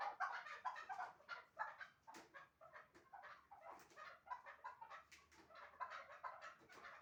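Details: Rapid, irregular chuck notes from two hunting chukars of Shahritus, called the best 'mastak' partridges, crowding together in a continuous chattering stream.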